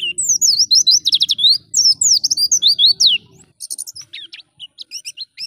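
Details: Oriental white-eye ngalas song used to bring caged white-eyes into full song: rapid, very high downslurred notes pour out continuously, then thin out into separate short chirps, with a low hum behind.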